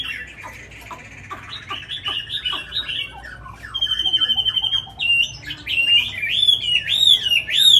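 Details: Tame captive Chinese hwamei singing strongly: rapid varied whistled and slurred phrases, starting with harsh chattering notes, then a sustained trilled whistle, then loud rising-and-falling ringing whistles that grow louder toward the end. No other sounds stand out.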